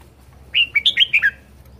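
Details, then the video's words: Red-whiskered bulbul, a kept bird described as singing very well and vigorously: a brief burst of about five clear whistled notes between 2 and 4k, rising and falling, lasting under a second, over faint low background hum. "Chào mào hót hay"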